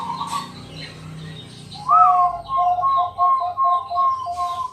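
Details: Local Bangkok zebra dove calling at night to coax other doves into singing; after a murky, noisy start, a rising coo opens a run of soft, evenly spaced cooing notes that carry to the end.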